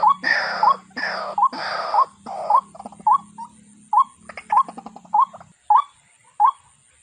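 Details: Waterhen: several loud harsh rasping calls open, then give way to clear short upslurred notes repeated about every 0.7 seconds, over a low hum.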